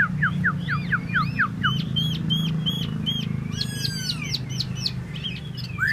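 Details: Solo song from a tieu mi bird: rapid repeated downslurred whistles, then brisk hooked notes and a rising-falling warble, delivered several per second over a constant low rumble.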